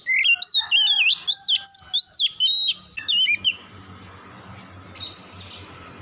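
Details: Oriental magpie-robin singing at dusk: a loud run of clear, looping whistled phrases rising and falling, sweeping up in sharp peaks, lasting about three and a half seconds before fading into quiet background hum.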